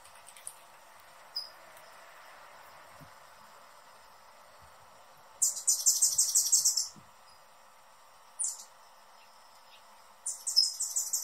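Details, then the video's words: Hummingbird producing high, rapid squeaky chatter: a dense run of fast pulsed notes lasting over a second, a brief burst after it, and another fast run near the end. Scattered faint ticks come between the bursts. "Hummingbird sounds in 2021 | Calls and Song"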